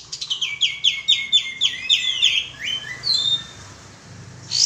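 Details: Sooty-headed bulbul lure call: a rapid series of bright, high chirping notes, each dropping sharply in pitch, repeated quickly for about three seconds, followed by a few thin whistled notes and a short burst of noise at the end.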